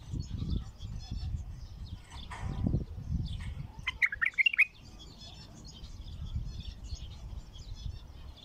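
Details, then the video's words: Raw wild bulbul giving its first song, Baghdadi 'Alwazi' style: a brief cluster of sharp, bright whistled notes midway through, set against steady low-pitched background rumble and faint distant chirps. "تغريد بلبل وحشي خام علوازي بغدادي أول فتحه"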